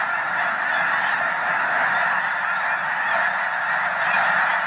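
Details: A flock of over a million snow geese at Loess Bluffs National Wildlife Refuge, February 2020, fine weather. Steady, massed honking fills the whole stretch, constant and unbroken.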